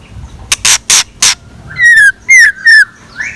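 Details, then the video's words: Scarlet minivet decoy singing at dawn: three loud broadband clicks followed by three clear whistled notes, each gently falling in pitch, with a soft rising note at the end. "Tiếng Chim Chèo Lửa Mồi Hót Sáng"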